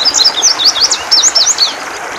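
Indigo bunting singing a rapid run of high, sharp, sweeping chirps, some paired, tumbling one after another over a soft hiss of background noise.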